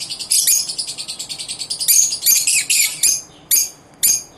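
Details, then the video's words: Lovebirds singing together at dawn on November 19, 2023: rapid harsh high chirps in a quick series, then louder buzzy screechy notes spaced about half a second apart, ending in separate sharp chirps. "Love birds sing together at dawn"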